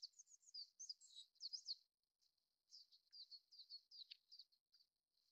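A Japanese Robin gives two high, rapid bursts of chattering, trilled notes, each lasting about two seconds, with a short pause between them.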